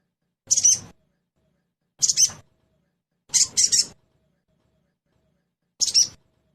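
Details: Sogon trotol lure to make the bird start singing quickly: four brisk high chirps, the third a buzzy double burst, irregularly spaced with a longer pause before the last.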